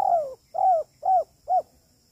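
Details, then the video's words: Lure recording of a spotted dove in the kuk 3 style: four hoarse, arched coos spaced about half a second apart, each shorter than the one before, ending in silence. "TEKUKUR KUK 3 || mp3 untuk pancingan"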